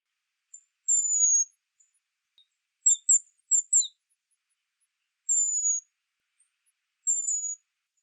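Western Spindalis giving very high, thin notes: a few drawn-out descending whistles around half a second long, plus a quick cluster of short sharp chips.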